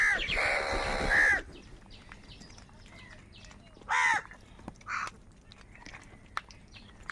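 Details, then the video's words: A long, hoarse, drawn-out crow caw opens the recording, made while crows fight over food, followed by shorter rasping caws after a pause and a few faint distant calls. "কাকের ডাক Crow Sound Loudly | Different kauwa ki awaz | Kaka sound and noises of crow birds"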